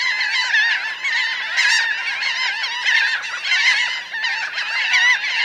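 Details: Around a thousand laughing gulls, some grounded and some flying, heard up close as a steady wall of overlapping nasal cries, with bending, laughing notes rising and falling without pause.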